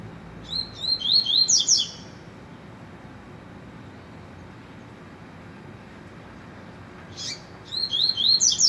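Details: Two bursts of trovão song from a rusty-collared seedeater, separated by about five seconds of quiet: each is a rapid, high, twittering series of sliding whistles, clearly repeated.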